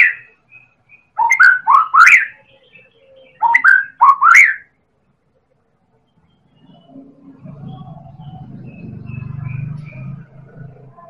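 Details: White-rumped shama of the Medan type, singing as a lure to get other birds to sing: two loud bursts of rapid, rising whistled notes, then quiet with a low droning hum.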